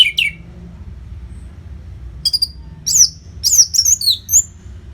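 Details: Training song of the orange-headed thrush for conditioning contest birds: an opening squeaky note, silence, then quick bursts of high chirps and looping whistles growing busier toward the end over a soft low hum.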